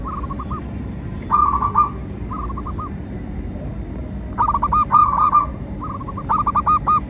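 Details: Lure song of a local zebra dove, meant to make captive doves sing and draw in wild ones: clusters of soft bubbling coos in two groups, with the later phrases louder and more tightly packed.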